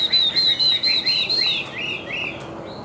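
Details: White-winged, white-tailed Chinese hwamei, a high singer and strong fighter: a thin high whistle repeated rapidly over a lower series of fuller, swelling whistled notes, fading toward the end.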